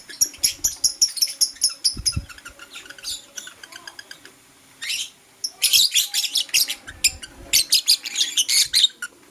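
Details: Blue opaline lovebird singing in the morning: dense runs of sharp, high chirps and squeaky trills in rapid bursts, a brief lull near the middle, then a loud busy stretch of rapid chirping to the end.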